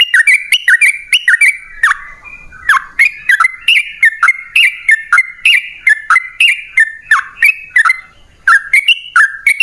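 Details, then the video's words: Yellow-vented bulbul singing a long 'ropel panjang' lure for caged birds: lively chirped phrases tumbling up and down in pitch, repeated quickly for the whole stretch with a short gap near the end. "Pancingan Trucukan PALING AMPUH! Burung Langsung Ngalas & Nyaut Gacor"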